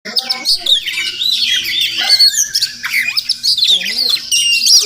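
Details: Wild Oriental magpie-robin (Murai Kampung) visiting a village home in the morning, possibly nesting nearby: a dense run of sweet, varied whistles and chirps, rising and falling notes tumbling quickly one after another.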